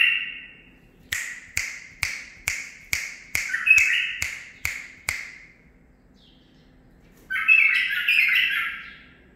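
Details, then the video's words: Young captive-bred male bulbul, nine months of age, that has picked up tutor phrases. A series of crisp clicks at half-second spacing overlaps a short warble, then after a quiet gap comes a bright bubbling phrase. "مخلف تخريجي العمر 9 أشهر اخذ لسانات زلزال"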